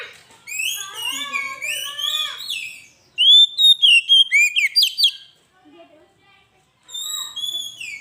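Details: Oriental magpie-robin (kacer) giving lively gacor masteran song for pancingan: rich warbling, overlapping whistled phrases, then a burst of loud sweet notes about four per second, a pause, and another high whistled phrase.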